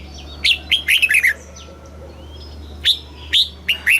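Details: Caged red-whiskered bulbul with a southern master-style song for stimulating birds and training young birds. A brisk, clear, warbling phrase of bright notes, followed by scattered single loud chirps and soft background calls.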